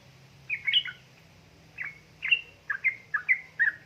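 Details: Yellow-vented bulbul, a female said to be calling a male and used to coax idle birds into song: one bubbly phrase, a pause, then a quick series of short, rich, warbled notes.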